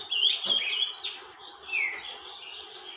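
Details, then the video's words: Saffron finch, known in Brazil as canário-da-terra, singing: a few sliding, whistled high notes, some falling in pitch, separated by quieter pauses, with faint background hiss. "Canário da Terra TORMENTO canta sem parar"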